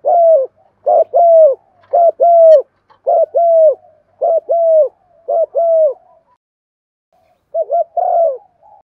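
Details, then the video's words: Spotted dove in an excited cooing series meant to prompt other doves to call; rapid low coos roughly once a second, mostly single falling notes in pairs, then a pause and a final wavering double note with a longer coo. "Tiếng chim cu gáy thúc gù + gáy gọi để dùng kích bổi nhanh gáy"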